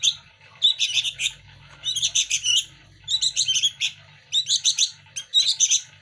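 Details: Hand-fed sooty-headed bulbul chicks, a local native bird, clamour for food. They give repeated groups of rapid, harsh chirps separated by pauses of about half a second, over a faint low hum.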